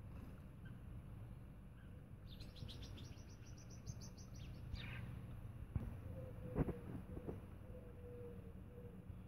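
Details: Captive blacksmith lapwing (Vanellus armatus) in an aviary giving a quick run of about ten sharp, metallic clinks, like a hammer on an anvil, over a steady low rumble and a few knocks.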